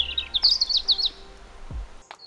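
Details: In a UK garden, a European robin sings a thin, high, tinkling warble of quick varied notes lasting about a second, followed by a soft low thud and one brief high note.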